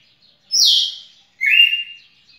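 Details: Red-cowled cardinal, recorded 18 June 2021, giving two bright phrases: a loud falling slurred note, then a clear whistled note held steady, with no other sounds.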